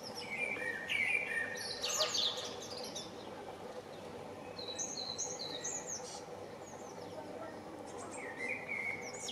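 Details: Eurasian blue tits, a pair nesting in a garden nest box in Anglet, France, in spring 2020, give thin, high chirps and quick scolding notes at irregular intervals over a steady background hum.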